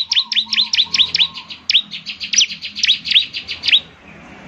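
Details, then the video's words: Bar-winged prinia (ciblek), a lively bird whose song makes other prinias reply: an even series of clear, high, V-shaped chirps about four per second, with a soft whistle-like tone early on. "Inilah suara ciblek GACOR paling di gemari, SEMUA ciblek pasti langsung NYAUT"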